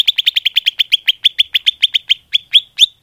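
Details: Greater green leafbird lure call gives a rapid series of bright, high chipping notes, about four a second at first, then slowing into sharper rising chirps.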